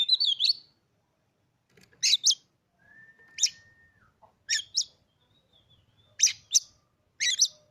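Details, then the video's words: A caged Oriental magpie-robin delivers a rapid warbled phrase, then sharp paired chatter notes every second or so, plus a long flat whistle and faint low background noise. "hanya hitungan detik kacer kamu pasti langsung gacor"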